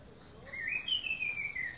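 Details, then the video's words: Orange-headed thrush singing in a garden: a short clear whistled phrase, rising then sliding gently down and tailing off, over faint steady insect hum. "Kicauan anis merah di kebun"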